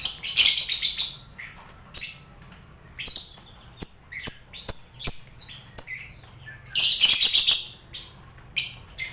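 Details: A lively aviary of lovebirds with finches and quail, the din serving as mental training for contest lovebirds; rapid sharp chirps and clicks run between dense, rasping shrieks at the opening and again near seven seconds.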